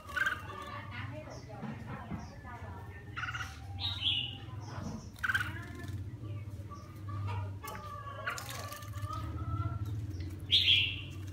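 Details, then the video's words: A red-whiskered bulbul sings as it bathes, giving short whistled and chirpy phrases at irregular intervals. Splashing water and a low background hum run throughout, with a loud bright note near the end. "Mào má lỡ mào lân vừa tắm vừa hót"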